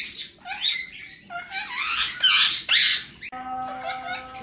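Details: Male cockatiel siblings with their chicks in sunlight give rough screechy squawks and a few swooping upslurred notes for about three seconds, after which a steady electronic musical tone takes over.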